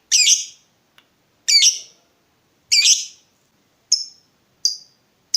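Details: Lovebird in full voice, used to make other lovebirds answer: three harsh, squawky chirps roughly every 1.3 seconds, then quicker, thinner single chirps.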